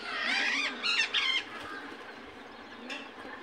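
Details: Indian ringneck parakeet calling naturally, giving rough, harmonic-rich squawks with a rising, wavering tone over the first second and a half, then fading to quiet background.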